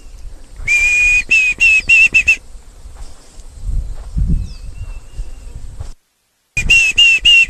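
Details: Diederik cuckoo at Rietspruit Game Reserve, South African Lowveld, on 25 November 2023 gives high, clear whistled notes in quick succession, partly masked by harsh hissing bursts, with a man talking quietly underneath.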